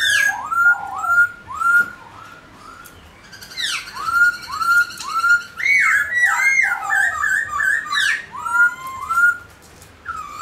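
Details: Captive Black-throated laughingthrush singing and dancing, played to spur pet birds to sing: a rapid series of rising-then-falling whistled notes about twice a second, then a louder tumbling run of varied slurred whistles.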